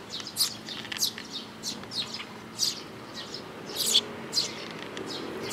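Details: Eurasian tree sparrows accompanied by chicks, 13 May 2018: clear, high chirps at irregular intervals of about half a second to a second, over a quiet background.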